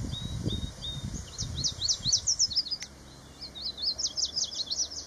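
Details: Male yellow warbler singing on territory in southern Maine, June 2024, morning: two quick, sweet phrases of high, bright, slurred notes, accelerating into a jumbled ending, over faint low rumbling background noise.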